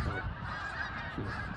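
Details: Brief burst of a migrating snow goose flock in Lancaster, Pennsylvania, a thick blur of nasal honks from countless birds calling together, steady in loudness throughout, with low rumble underneath.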